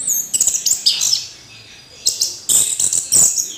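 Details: Orange-headed thrush song in short, sharp bursts of very high twitters and whistles, broken by a quiet spell near the middle, with some clicky noises mixed in.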